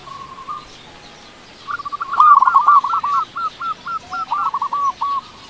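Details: Frequently calling local zebra dove, used to lure and arouse silent doves. A brief soft coo is followed by a rapid run of clipped, bouncy notes, about four per second, which fades gradually.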